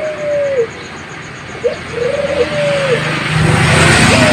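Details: Young Barbary dove cooing: a long, low, level coo ending in a falling tail, then a short upward note and a second drawn-out coo. Vehicle rumble builds strongly toward the end.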